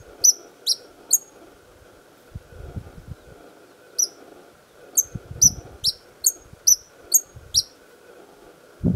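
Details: Perched white-vented violetear, known as the 'colibri de canto', singing to guard territorial flowers at Chapada Imperial, Federal District: three quick high chips, a pause, then a run of eight piercing chips over dull low rumbles.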